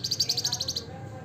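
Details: Wergan jawa or flamboyan, the Javan fulvetta, giving a brief, very high, rapid pulsed trill of roughly eight beats in under a second before stopping, against a low humming background.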